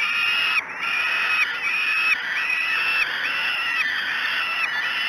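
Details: At Great Spirit Bluff, falcon nestlings beg loudly as breakfast arrives, 5 June 2016 at 06:54; a steady run of hoarse, sustained wailing notes, each slightly bending at the end, almost without pause.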